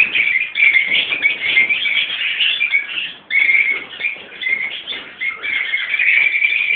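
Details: Lovebirds in a captive colony, Peach-faced and Fischer's, parents mixed with young: loud constant high-pitched twittering and squealing from many birds, briefly dipping near the middle before surging again.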